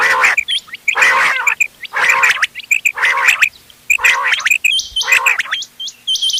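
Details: A blend of quail (bater) voices meant for hunting, dated 31 October 2025. Loud rasping, croaky bursts recur roughly once a second, each edged by clipped paired notes. A burst of high hooked chirps ends the stretch.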